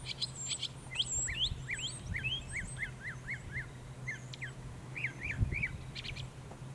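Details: A Northern Mockingbird sings on Cape Cod, Massachusetts, on 14 October 2023: a quick run of repeated chirpy, down-slurred notes and varied whistles, phrases changing every second, over a steady low hum.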